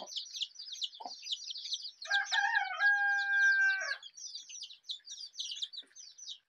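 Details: Rainbow-colored desi chicken chicks cheeping continuously in high piping notes, interrupted midway by a drawn-out, lower harmonic crowing call lasting about two seconds before the peeping resumes.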